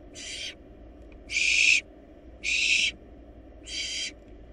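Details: Several wild barn owl nestlings swallowing a large rabbit inside a nest box; four loud, broadband snoring hisses, each about half a second, spaced about a second apart against faint steady background noise.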